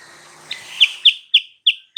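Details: A sooty-headed bulbul lure song for provoking a rival: over a faint background hiss, five sharp, downward-sweeping chirps repeat at steady intervals of about a third of a second.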